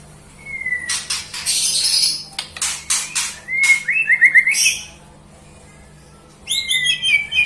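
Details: A white-rumped shama sings sweetly: a thin rising whistle, bursts of harsh scratchy notes, then a quick stuttering trill, a pause and bright twittering whistles near the end, with a low background hum.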